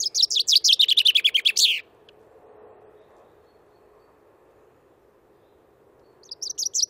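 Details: Common chaffinch, Wittlicher Tal, 2018: a loud rattling series of about a dozen high repeated notes sliding downward to a short end phrase, then a long quiet pause over faint hum before the next song begins.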